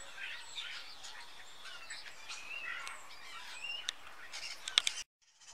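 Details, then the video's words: Common starlings, around 20, massing in high fir trees in Jutland, Denmark, each autumn to feed on berries before flying south; overlapping chattering whistles and short chirps from the group, then sudden silence at the end. "Stare sammeln sich - Starlings are gathering - Stære samler sig"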